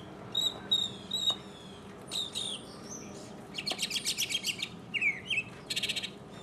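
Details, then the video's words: Mockingbird singing solo in 2015, shifting between downslurred whistles, harsh buzzy bursts and a rapid dry rattle repeated in pulses, each phrase type given a few times before changing. "mockingbird Solo 2015"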